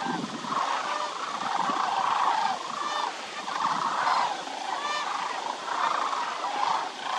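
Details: Dense chorus of sandhill cranes wintering at Willcox Playa Wildlife Area, where over 20,000 gather in shallow water: rattling, bugling calls rise and fall in waves about every second.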